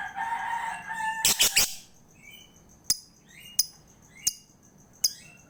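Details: A lovebird, recorded as a lure to encourage a lazy lovebird to sing. A burst of rapid harsh screeches follows a softer warbling sound, then clipped sharp ticks come about every 0.7 seconds with faint chirps.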